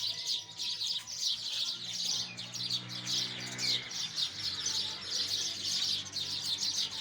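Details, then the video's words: Crowded sparrow chatter, shrill chirps repeated almost twice a second in overlapping bursts, over a low steady humming tone in the middle stretch. "Listen the voice of sparrow"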